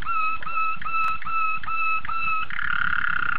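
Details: Young Malinois waterslager canaries, a first brood from 2013, singing a steady, liquid rolling tone broken into repeated pulses about every third of a second, becoming a fuller bubbling roll at the end.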